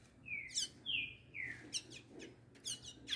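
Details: A pair of tanagers singing face to face: soft slurred whistles gliding downward, repeated about every half second, then brighter quick chirped notes near the end, over a faint low background hum.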